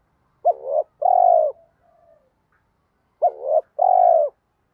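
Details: Spotted doves cooing to goad lazy caged birds into calling: two matched two-part coos, each a rising clipped note then a longer held low note, about three seconds apart, with a faint sliding tone between.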